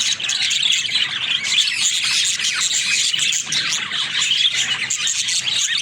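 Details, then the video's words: Steady, high warbling chatter from pet budgies, full of fast chirps, squeaks and rasping twitters running together. "Funny Talking Budgies"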